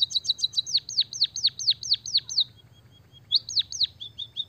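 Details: Energetic white-headed munia song using canary-like phrases. A brisk buzzy trill turns into about eight loud swooping chirps falling in pitch, a short pause, then two more swoops and faint ticking notes.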